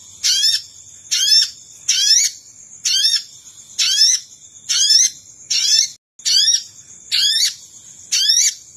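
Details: Sogon bird lure call meant to attract wild sogon: half-second bursts of shrill, rapidly falling chirps, repeated about once a second, over a steady high-pitched whine.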